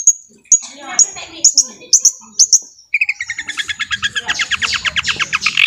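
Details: Singing long-tailed shrike used to stir other shrikes into song: a row of sharp high chip notes about every half second, then a fast rhythmic rattling series of buzzy notes.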